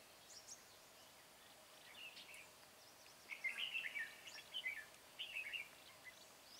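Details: Red-whiskered bulbul, a bell-voiced decoy, singing its fighting song on 13 March 2020 to lure a wild rival into a trap. Brief warbled, slurred phrases, faint at first, then louder bursts around the middle and near the end over a quiet outdoor background.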